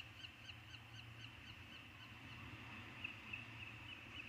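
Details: Peregrine falcon eyasses, three chicks together in the eyrie on Anacapa, June 2019; a rapid series of short high call notes repeating steadily, faint over a constant low hum and steady background hiss.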